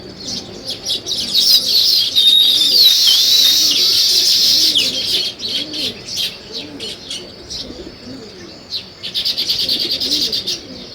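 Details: Morning chorus of sparrows with nest-building weaver birds: fast, bright overlapping chirps and twitters, swelling and fading in bursts, with soft low cooing and wing flutters in the background.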